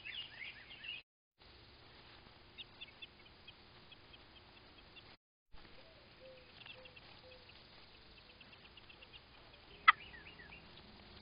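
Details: American robin pair at their nest during a crow attack, giving sharp, high, squeaky alarm notes in short bursts, with a low murmuring series and a sudden loud click partway through.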